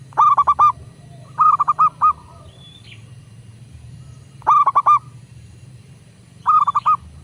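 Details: A local zebra dove (perkutut) gives bursts of three to four quick, pulsing coos, repeated every one to two seconds, with a brief thin whistle from another bird and a low hum.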